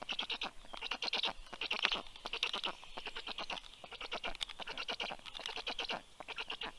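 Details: Dawn at a black stork nest in southern Estonia's Karula National Park, 19 June 2023, with the female delivering breakfast to the chicks; loud grating pulse bursts repeated roughly every second, uneven in rhythm.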